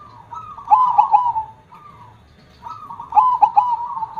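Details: Zebra dove with a big KONG-style voice: two rolling coo phrases, each punctuated by emphatic clipped notes in the middle, separated by a soft lower coo.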